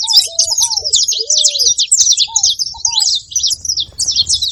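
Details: Saffron finch chattering: crowded, sharp, high chirps pour out continuously, accompanied early on by several lower, arched whistled notes, with faint low background noise.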